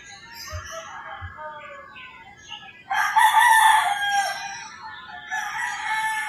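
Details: Roosters crowing at early morning in the rural Philippines: soft distant crowing and bird chatter, then a loud, rich crow rising sharply and trailing off, followed by another rooster answering farther away.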